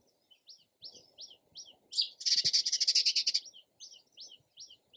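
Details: Sparrow chirps in a quick series of sharp downslurred notes, broken by a loud rapid rattling burst of buzzy notes lasting over a second, then the chirping resumes.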